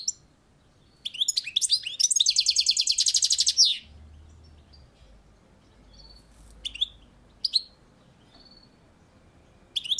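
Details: European goldfinch singing from a balcony: twittering notes lead into a long, buzzy, rapidly repeated rattle, followed by scattered high chirps and quiet pauses.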